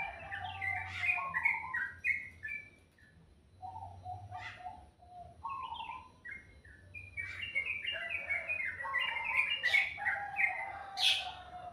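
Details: Melodious bird song in the morning, a long run of varied whistled and chirped phrases with short pauses, rising to a dense busy passage near the end; soft low hum behind.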